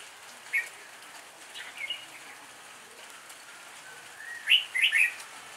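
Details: Red-whiskered bulbul used as a lure bird, singing its improvised fighting song: scattered faint notes, then a bright, rollicking phrase of fluty chirps near the end, over steady rain-like hiss.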